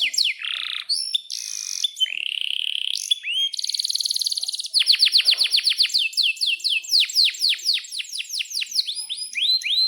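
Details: Atlantic canary singing energetically in a long song used as a tutor for young canaries learning to sing: varied whistled notes and buzzy notes give way to fast, steady rolls of rising-then-falling chirps.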